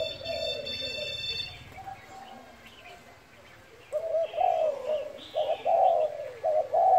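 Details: Spotted dove in gáy thúc and thúc gù cooing style: a brief burst of low coos, a quieter gap, then louder, tightly grouped hollow coos. A thin tonal whine sits over the opening seconds.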